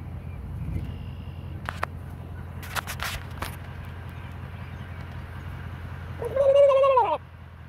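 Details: Wild turkey in natural courtship, from a young flock (suspected third-year) that roosts in trees over a homestead pond: one drawn-out, slightly wavering call near the end, after scattered clicks and knocks over a steady low hum.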